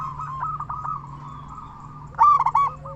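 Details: Local zebra dove, a frequent singer with a powerful voice, used to stimulate silent zebra doves into song: a quiet rolling trill, then a sudden loud stuttering coo phrase near the end, low hum underneath.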